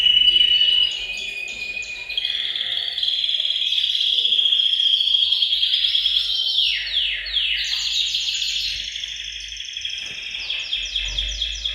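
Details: Chorus of caged canaries in a bird room, used to spur males to sing and prepare females for breeding; rapid rolling trills, long sustained whistled tones and quick stepped down-sweeping note series follow one another without pause.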